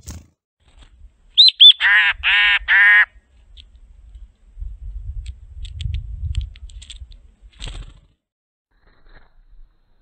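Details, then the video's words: Black-capped chickadee of a nesting pair, recorded in ultra slow motion, gives two thin, high introductory notes, then three harsh, buzzy 'dee' notes in quick succession, followed by soft low rumbling like wind or wingbeats. "Chickadees Sing"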